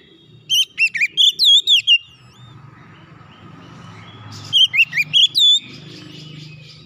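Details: Oriental magpie-robin singing, meant to get a quiet bird singing again: two rapid bursts of bright, looping whistled notes with steep rising and falling slurs, separated by a few seconds of faint background hum.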